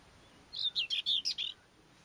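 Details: Common whitethroat singing, recorded 29 April 2012: one brief scratchy, chattering phrase of about six quick, harsh notes packed into under a second, high-pitched, over a quiet background.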